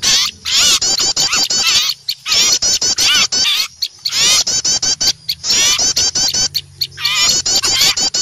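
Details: A noisy crowd of small birds, alarmed at seeing an owl, chattering in high, rapid, overlapping bursts of sharp chips and trills, pausing briefly between bursts; used as a lure for wild birds.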